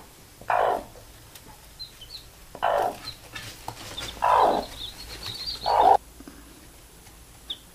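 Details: Hen calling her baby chicks to sleep; four separate low, rough, drawn-out clucking calls spaced one to two seconds apart, with thin peeping from the chicks between them.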